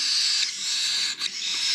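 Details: Begging cockatiel chicks from an aviary's last 2021 clutch, hand-fed by a keeper: sustained high rasping wheeze with short breaks near the middle.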